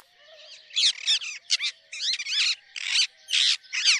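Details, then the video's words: A pet talking parrot gives a rapid series of harsh, high chirps and squeaky notes in short bursts, with brief pauses between them. "Tote ki chirping sound"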